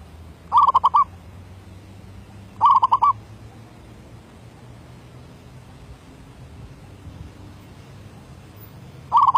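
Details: Zebra dove kept as a decoy bird, recorded in 2019, singing in the derak labuh style: short bursts of four or five rolling, stuttered coos, three phrases spaced about two seconds apart over faint low background hum.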